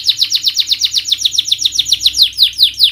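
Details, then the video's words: Canary song used as a singing stimulus for reluctant birds: a steady series of sharp downward-slurred chirps, about seven per second, slowing slightly toward the end. "Pancingan Kenari Naikin Emosi dan atasi Burung males bunyi,Stres,& Mental Down"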